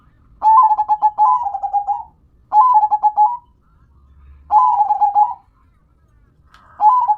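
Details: Local zebra dove (perkutut) singing repeated bursts of rapid stuttered cooing, each phrase about one to one and a half seconds, spaced roughly every two seconds, four phrases in all.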